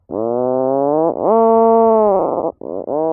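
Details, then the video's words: Atlantic puffin (Fratercula arctica) giving deep, drawn-out moaning groans, two long rising-then-steady tones followed by shorter broken ones, with no other sounds. "Atlantic puffin sound, puffin call"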